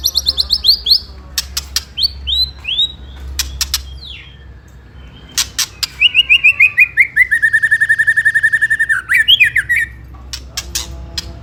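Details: White-rumped shama used to provoke rival birds into fighting: a loud, varied song of rapid descending whistled notes, sharp clicks, then a long run of steady repeated notes near the end.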